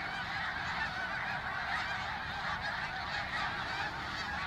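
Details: Snow geese during their 2022 migration through Phillipsburg, New Jersey, USA; a dense, unbroken chorus of many overlapping nasal honks and yelps from a large flock.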